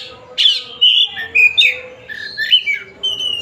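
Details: A white-rumped shama of the Tasikmalaya type gives a few loud whistled phrases: a sharp upward sweep, a descending slur, then softer warbles and a sustained thin whistle.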